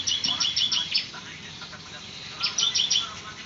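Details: Javan white-eye (ciblek) singing in full, lively form: short bursts of very high, rapid chirping notes repeated in quick clusters, two bouts separated by a pause, with faint background noise.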